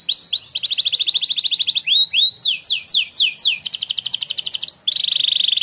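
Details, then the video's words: Contest-winning canary singing a training song: rapid trills of repeated notes, swooping rising and falling phrases, then a fast buzzy rattle at the end. "The Winner Canary Singing Contest | Named "NAPOLEON BONAPARTE" - canary training song"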